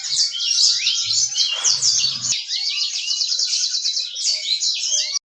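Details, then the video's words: Yellow-fronted canary in full, vigorous song: a dense, fast stream of high twittering, trills and buzzy warbled phrases, almost without pause, cutting off abruptly after about five seconds. "Burung Moz-Sang Gacor"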